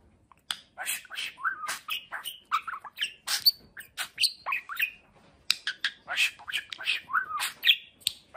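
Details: Plump, freshly moulted pet budgerigar that talks, producing a long, lively stream of rapid squawks, chirps and short warbled notes, many dipping or rising in pitch, with one brief pause midway.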